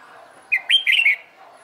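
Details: One brief phrase from a red-whiskered bulbul in training for singing contests: a few quick slurred whistles sliding up and down, bright and clear over a quiet background.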